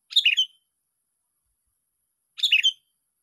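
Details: Sooty-headed bulbul calling during a luring session at a park, day six. The same short, bright, chirpy phrase of a few quick notes is given twice, about two seconds apart, with silence between.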